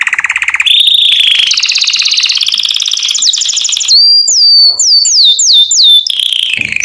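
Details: Canary tutoring song for chicks: a low rapid trill climbs in stages to higher rolls, then a run of loud looping whistled swoops repeated about twice a second, fading into a descending trill.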